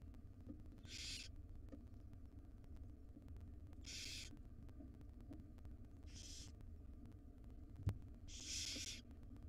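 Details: Five wild barn owl owlets in a monitored nest box, begging as their mother feeds them breakfast: four harsh, breathy hisses of about half a second, spaced two to three seconds apart, over a steady low electrical hum and one sharp click.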